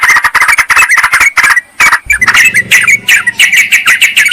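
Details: Yellow-vented bulbul lure recording meant to draw a rival wild bird: dense, fast chattering bursts of bright, slurred notes, several voices overlapping with brief pauses, and a low hum in the middle.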